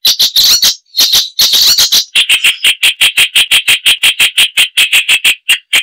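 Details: Icterine warbler singing loudly: a few harsh, rasping notes, then a steady run of sharp, clicking notes repeated about five times a second.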